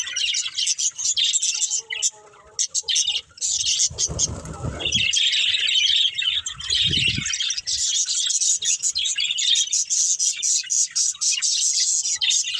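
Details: Pet budgerigars playing and eating keep up constant shrill chirping and warbling; a broad rustling noise rises twice in the middle, then the busy high chatter continues to the end.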